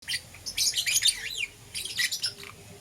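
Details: Lovebirds, green opaline and lutino, caged pets chirping in the morning: bursts of harsh, high chirps and short rising squeaks in two clusters, with a faint low hum underneath.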